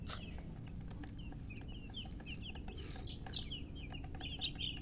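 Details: Baby chickens only just hatched chirp loudly, a continuous stream of bright, high peeps, each a quick falling slur, several birds overlapping, above a constant low hum with occasional taps.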